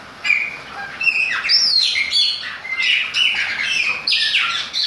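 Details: Chopi blackbird singing in the rain gives a loud, rich run of clear whistles, slurred notes and chattery phrases, rising and falling without pause.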